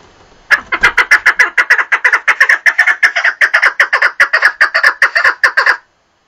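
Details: Partridge giving a long, steady run of strong, grating chuck notes at a brisk, even pace for over five seconds, then stopping abruptly; no other sounds stand out.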